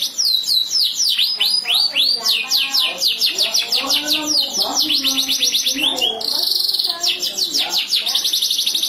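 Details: Canary song in an answering exchange between birds, with loud rapid chains of falling whistled notes, a sustained buzzy trill midway, then more quick sweeping phrases; soft lower chirps beneath.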